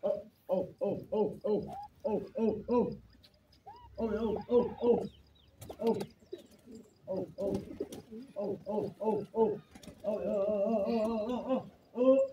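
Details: Irani teetar (partridge) pair calling: repeated short harmonic notes in quick bursts of four to six, each note stacked with a buzzy, pulsing quality, with brief pauses and a longer sustained harmonic phrase near the end.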